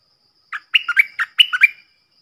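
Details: Decoy bulbul calls from one of four captive decoy birds, used for luring: a short chirp, then two quick bursts of liquid, warbled notes that slide between high and lower pitches, in a quiet setting.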